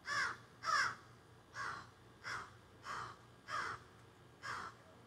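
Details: Crows that had flown up into trees behind a garden, squawking and carrying on, recorded outdoors on a cell phone: seven harsh, rasping caws spaced roughly a second apart, some quick pairs, over a faint low hum.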